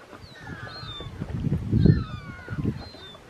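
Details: Second-calendar-year Mediterranean gull on Vlieland, the Netherlands, 24 August 2024: several drawn-out, downslurred nasal calls, some overlapping, over a steady low rumble of wind and background noise.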